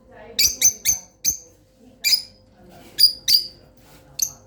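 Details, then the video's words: Pet lovebirds giving sharp, high-pitched squawking chirps, a quick run of four at the start, then single and paired calls spaced about a second apart, with a faint steady hum in the background. "Beautiful voices of my love birds"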